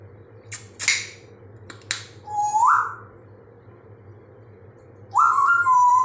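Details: African grey parrot making sounds indoors: a couple of sharp clicks, then a clear whistle sliding upward, a pause, and a louder steady whistled tone rising in steps, with low hum behind.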